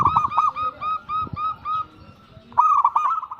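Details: Local zebra dove singing actively, used as a lure to draw replies from other doves: rapid series of short, hooked cooing notes, repeated in bursts with a brief pause before a louder, denser run.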